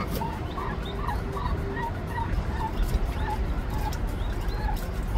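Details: Korean turkey during natural hatching of chicks: a series of short, mid-pitched peeps given about twice a second, evenly spaced, against a constant low background rumble.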